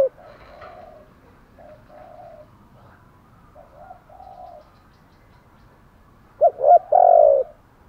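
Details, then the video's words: Spotted dove kept as a decoy bird in Vietnam, used to lure wild doves: soft low coos in short phrases, then two loud, harsher coo notes near the end. "chim cu mồi thúc gù bài bản nhất hiện nay, chim cu gáy kích bổi hiệu quả nhất hiện nay"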